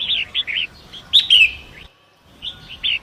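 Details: {'caption': 'Forest long-tailed shrike, song used to tutor other cage birds, river setting: a few jumpy warbled notes, a sharp click with a sliding whistle, a short silence, then more chirps.'}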